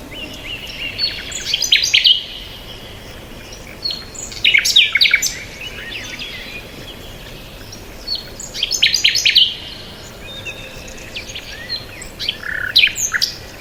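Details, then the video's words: Unidentified birds chirping outdoors, bursts of bright high twittering and sharp notes recurring every few seconds between quieter gaps, with a faint background hiss. "Birds Sound | bird chirping sound | Peaceful Bird Sound"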